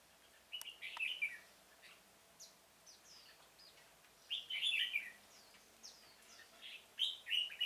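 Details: A decoy red-whiskered bulbul at a trapping site in a pomelo orchard, 25 October 2017, sings short rich warbled bursts and scattered sharp upward chips, with three clear phrases spread across several seconds.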